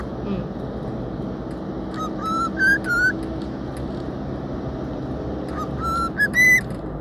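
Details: Cockatiel whistling a tune during a trip out, pleased to be outside: two bursts of stepped, rising whistled notes separated by a pause, against continuous low engine rumble.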